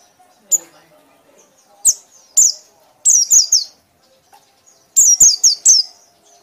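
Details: Scattered loud ngekek notes of a white-eye: single high whistles, then clusters of three and four quick downslurred notes, separated by quiet gaps of about a second.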